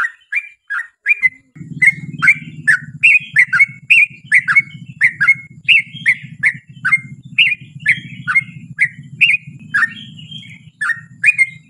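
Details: Yellow-vented bulbul in a long 'ropel' lure song. A string of quick, liquid, rolling chirps runs almost without pause, and a constant low hum starts after the first second.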